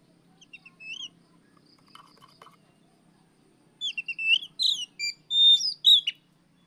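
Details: Oriental magpie-robin singing in the afternoon in a 'riwik plong' style, recorded as a lure to train other birds. After quiet faint notes, a burst of loud, varied whistled phrases with sharp upslurs and downslurs begins near the fourth second.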